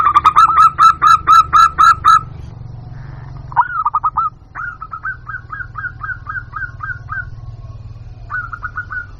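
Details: Zebra dove lure sound, local type: a loud even series of ringing coos about four per second, a pause, a brief stutter, then a long run of softer hooked notes.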